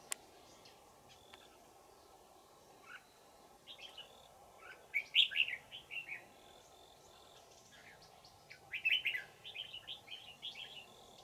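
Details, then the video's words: Old wild red-whiskered bulbul, trapped using a decoy bird in Vietnam, 20 December 2018; scattered chirps building into two loud bursts of liquid, warbled notes, with a low continuous hum. "Bẫy chào mào Già rừng giọng chuông xoắn tít"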